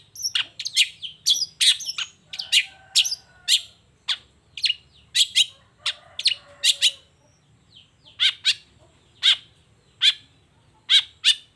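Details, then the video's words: Long-tailed shrike singing energetically at dawn, showing off its repertoire: a steady series of sharp, clipped high notes, rapid at first, then slower and evenly spaced after a short pause. "Suara Cendet Gacor Di Pagi Hari Toet Toet Bongkar Materi"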